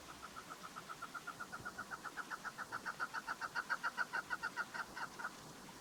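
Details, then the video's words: Female chukar partridge call used to lure birds for hunting: a steady series of short clucks that speeds up and grows louder, about three to four per second, then stops abruptly. "Dişi Keklik Sesi Dinle Meri Keklik Ötüşü Dişi Keklik Av İçin Kızgın Dişi Keklik Sesleri"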